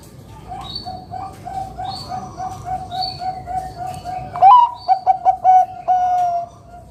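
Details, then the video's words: A steady run of soft, low coos, about one a second, leads into a loud zebra dove phrase. The bird is a Bangkok-type lure singer in the 'kung besar' style: a sharp rising note, clipped coos, and a long final note. Faint chirps overhead. "Perkutut Bangkok gacor Suara KUNG BESAR"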